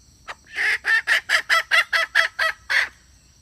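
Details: Red junglefowl hen calling to attract males, a lure recording: a short note, then ten loud, harsh, clucking pulses repeated evenly about twice a second, each with a bright, buzzy tone.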